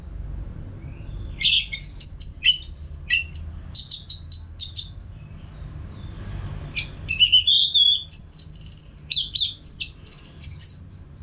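An orange-headed thrush sings rich, varied phrases of high whistles, slurred notes and rapid trills in two bursts separated by a short pause; faint low hum underneath.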